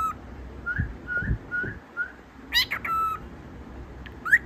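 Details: Tame cockatiel whistling to impress indoors: four short rising whistles evenly spaced, then a harsh, broad squawky note, a brief steady whistle and a final rising chirp.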